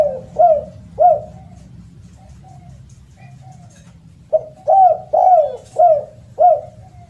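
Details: Spotted dove (derkuku, tekukur) giving a loud, melodious call: two short cooing notes, a pause of about three seconds, then a run of five hoarse coos with rising-falling inflection over a steady low hum.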